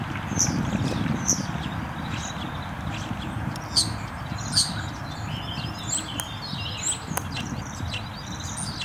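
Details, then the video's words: A common starling (Sturnus vulgaris) during its courtship display gives a varied jumble of sharp high whistles, clicks and chatter, over a steady low rumble of wind or distant traffic. "Taniec godowy szpaka"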